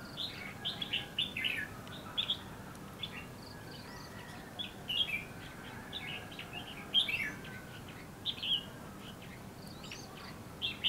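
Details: Wild-trapping scene at Lương Sơn with a red-whiskered bulbul in bushes, singing clear, bouncy warbled phrases at irregular intervals of one to two seconds, with faint hiss behind.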